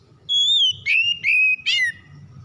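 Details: Oriental magpie-robin song used to provoke a reluctant bird into singing: a long steady whistle, two slurred notes and a harsh buzzy flourish that trails off downward, all in one loud phrase.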